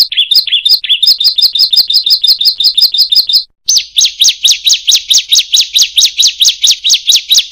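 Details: Ciblek/prenjak (bar-winged prinia) song meant to train reluctant singers: a phrase of bouncing, looping chirps, a brief break, then a fast string of sharp, down-slurred high notes.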